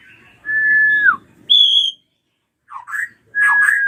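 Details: Ashy drongo kept for prompting untrained birds to sing. A long level whistle drops at its tail, then a higher held whistle, a pause, a couple of short twisting notes and another long whistle.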